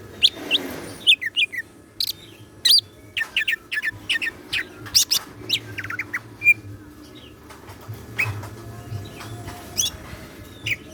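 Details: Greater green leafbird (cucak ijo) kept in a cage, in lively full song with 'isian siklon' fill: a dense stream of sharp, varied chirps and short bursts, some clustered and some spaced, with one clear whistled note midway and a low hum behind.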